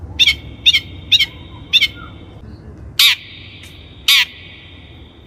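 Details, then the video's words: Long-tailed shrike (cendet), a training lure: four doubled clicks with trailing whistled tones, then two loud harsh rasping squawks about a second apart. "PANCINGAN CENDET GACOR COCOK BUAT CENDET BAHAN | THE LONG - TAILED SHRIKE SOUND"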